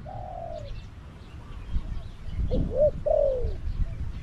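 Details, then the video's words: Spotted dove call from a caged decoy used to lure wild doves near a trap, Thailand; a few low, soft cooing notes, with faint rural background noise. "#ต่อนกเขาใหญ่ EP302ลุ้นนกป่าที่สองพี่น้อง"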